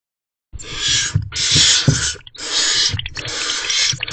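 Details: Barn owl at a nest box at 3:40 am on 29 April 2023, as the male drops off food at night. Three long, harsh, breathy hissing screeches, each about a second long, with soft low thumps and shuffling beneath.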